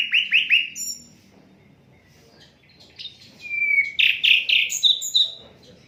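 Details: Asian brown flycatcher, unedited recording for training songbirds: three quick down-slurred chirps open, a quiet gap, then a dense burst of loud buzzy high notes and twittering.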